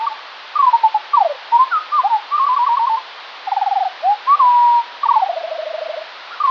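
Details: Slowed-down morning song of a Eurasian skylark, perhaps several birds: varied whistled slurs, swoops and rattling trills, with a long drawn-out whistle and short gaps between phrases.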